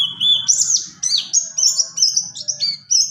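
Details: Buxtoni white-eye singing its rolling ngalas ngerol style, a tutor song for other white-eyes: bright high whistled notes, some rising and some dropping, strung in quick phrases over a soft low background hum.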